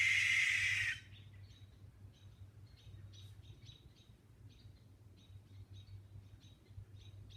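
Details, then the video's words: Great horned owl at night in rural country woodland, one of several living there: a loud, raspy, hissing screech ends within the first second, followed by faint repeated high chirps over a low steady hum. "Great Horned Owls screeching"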